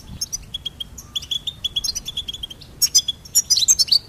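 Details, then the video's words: Goldfinch twittering in quick bursts of short, high chirps with a steady tinkling note, then a denser, brighter flurry near the end. "Charming Goldfinch Peep"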